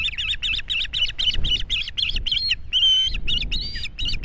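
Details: At an Estonian osprey nest in 2018, rapid whistled chirps tumble out about six per second, then give way to a few longer, drawn-out whistles, over a low rumble of background noise.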